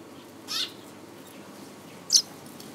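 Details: Japanese white-eye at home, recorded 10 January 2014, giving two separate short, piercingly high chirps about one and a half seconds apart over a quiet background hiss.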